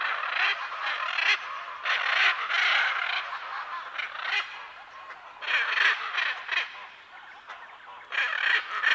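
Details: {'text': 'Hyacinth macaws calling as a pair, recorded close to medium distance: clustered harsh, broad squawks in four separate bouts with pauses between, over a background of other parrots and birds.'}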